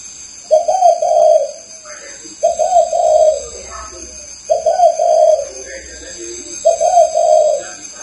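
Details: Spotted dove (chim cu gáy) cooing indoors, four throaty low-pitched coo phrases, each stuttered then drawn out, roughly every two seconds, over a steady high electronic whine and faint room noise.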